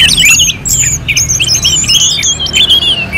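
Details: Orange-headed thrush song in a competition-style simulation: quick, varied high whistles and chattering notes with sharp upward and downward sweeps, delivered in a near-continuous stream with hardly a pause.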